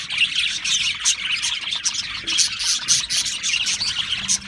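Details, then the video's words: Chorus of Australian parrots: busy high chirps and warbles overlapping without pause, rising in brief louder bursts, with a low steady hum near the end. "Beautiful Australian Parrots Chirping sounds beautiful Parrots Sounds"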